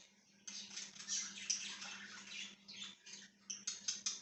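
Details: Budgerigar, dated 1/6/2023, starting after a quiet half second with a burst of harsh, noisy chattering, a brief lull near three seconds, then sharp repeated chips toward the end over a low steady hum.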